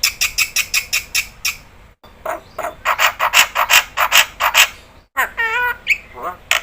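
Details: Black-winged starling, a vocal bird used to prompt other starlings to answer: a rapid string of dry rasping notes, a denser run of loud grating chatter, then a wavering whistled warble and more scratchy calls.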